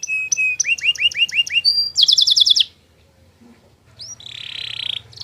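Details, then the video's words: Long master song of a canary, used so other canaries reply. Repeated upslurred notes lead into a bright rapid trill, a short pause, then a buzzy roll over a faint low hum. "masteran burung kenari durasi panjang"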